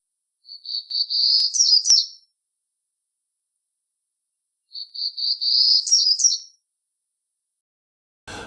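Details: Townsend's Warbler song: two very high, buzzy phrases about four seconds apart, each a run of wheezy notes ending in higher, sharper notes; a brief noise at the end.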